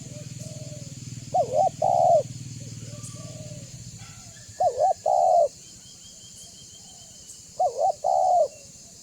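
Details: Spotted dove with a banggo voice, played to make other doves answer and come closer: three loud two-part coos, a quavering note then a longer steady one, spaced roughly three seconds apart, with quieter coos, low hum, steady hiss.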